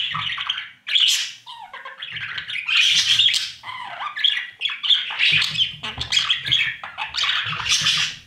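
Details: Budgerigar young in a breeding nest box, fed by their parents: loud, overlapping raspy squawks and chatters, almost unbroken, with brief lower, hoarse notes mixed in and light scuffling below.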